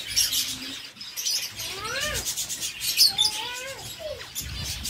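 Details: Zebra finches feeding on seeds in a breeder's aviary in Sargodha give a run of short nasal, arched calls with stacked overtones, several in quick succession, with constant crisp crackle of husked seed in the background.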